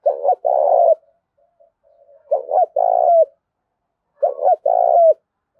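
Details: Spotted dove giving a heated contest call in a thổ-pha-đồng voice style: three phrases, each of quick stuttered notes and a drawn-out throaty coo ending in a slight downturn, with soft low murmurs between.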